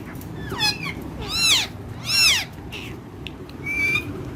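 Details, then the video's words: Pet parrot among other parrots, giving several loud harsh squawks with wavering harmonics, then a short thin whistle, while a person repeats a short word nearby. "Talking With Other Parrots"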